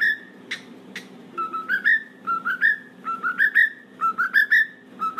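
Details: Pet cockatiel in a room whistling a short rising phrase again and again, about once per second, over constant low household hum, with a couple of sharp taps.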